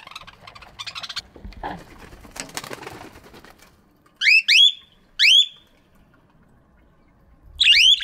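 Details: Aviary budgerigars in the morning: after a stretch of soft rustling and twittering, loud clear whistled calls sweep upward, given in a quick pair, then singly, then again near the end.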